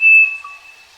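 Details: On a farm, a Striped cuckoo (Tapera naevia) sings one clear, pure whistled note that holds steady and fades within a second, with a fainter lower tone beneath.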